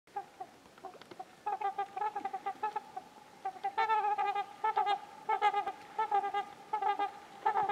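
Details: Trumpeter swans, a territorial pair upset by another pair invading their territory, calling while chasing the intruders: loud nasal honks in rapid irregular series, quiet at first then growing louder from about four seconds.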